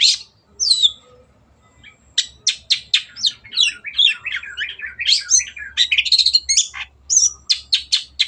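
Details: Long-tailed shrike (cendet) gacor song meant for other birds to copy: a few loud squeaky notes, a short lull, then a rapid string of varied chirps, trills and whistles.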